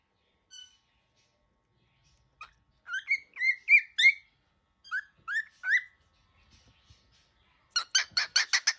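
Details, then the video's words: Angry young cockatiel producing scattered buzzy rising notes in small groups, ending in a rapid, harsh chattering burst. "Baby bird -very angry cockatiel"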